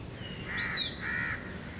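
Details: Indian grey hornbill recorded on a home lawn during lockdown as the chicks leave the nest: a short high squeal sliding downward, then a drawn-out hoarse nasal note, over steady low background rumble.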